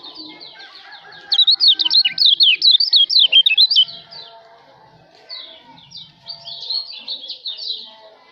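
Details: White-eye (kecial lombok) song recorded for tutoring other songbirds: a loud burst of rapid, high, zigzagging warbled notes for about two seconds, then softer continuous twittering and chirping from other birds in the background.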